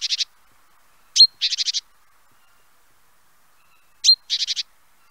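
Great tit: a sharp, high whistled note, then a quick burst of five buzzy notes, repeated about every three seconds against a silent background.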